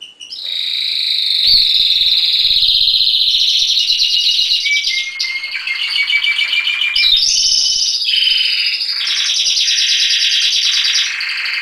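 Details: Canary singing a loud, continuous song of rapid buzzy trills and rolling whistled phrases, shifting pitch every second or two, with brief sharp upward slides between the high rattling passages.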